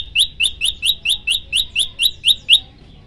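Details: Prenjak lumut prinia in a training recording: ten loud, high, metallic notes, each rising at the end, spaced about a quarter second apart, then stopping abruptly.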